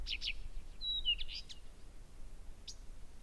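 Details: Blyth's reed warbler singing strongly at Gerå Engvej around 1 a.m. on 15 June 2014; a brief burst of scratchy notes, a thin level whistle, a falling slur, then a pause and one sharp high note.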